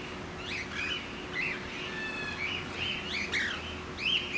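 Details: Cockatiels at Campbelltown Forest of Wild Birds, Saitama, Japan, on 31 March 2018: scattered short chirps and whistled notes from several birds over a steady background hum.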